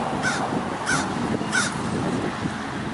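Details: Three loud, hoarse caws about two-thirds of a second apart: American crows mobbing a great horned owl on a roof, trying to scare it away, in 2024, over a low steady rumble.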